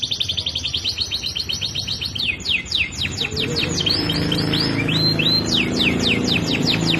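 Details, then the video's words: Canary singing in a master recording made to train other birds: fast, continuous trills of rapidly repeated high sweeping notes, about four per second, shifting to sharper, wider sweeps midway, over a steady low hum and background noise. "Masteran Burung Kenari Bahan Sudah Gacor"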